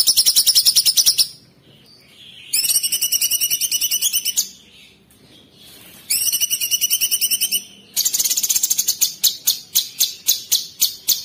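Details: Sooty-headed bulbul (cucak cungkok), 'tembakan kristal' style: high, dense buzzy trills repeated in three blocks with pauses between. It closes with a run of separate sharp chipping notes that slow toward the end.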